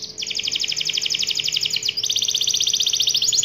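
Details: Canary in full energetic song: a fast trill of sharp repeated high notes, about four per second blurred into a rolling chain, with a brief break and pitch shift midway before the trill resumes.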